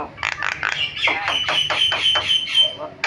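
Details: Javan myna in full varied song with fill-in phrases: a fast run of harsh, buzzy notes repeated about four per second, then a sustained thin high whistle and a sharp closing note.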